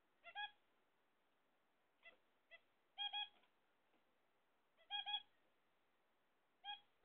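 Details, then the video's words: Nasal trumpet-like calls come from pet zebra finches awaiting eggs. Paired honks alternate with brief single clicks at irregular gaps of one to two seconds over a quiet background. "My Zebra Finchs"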